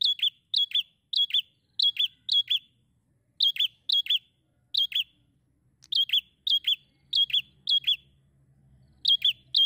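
Bar-winged prinia giving bursts of four or five sharp, high chirps, each with a quick downward flick, repeated in steady runs; a faint low hum underneath.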